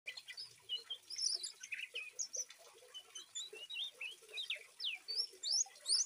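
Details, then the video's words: A 3-month-old Oriental magpie-robin gives a busy, rambling stream of high chirps, squeaks and short rising whistles, about two or three notes a second. "suara masteran trotol kacer"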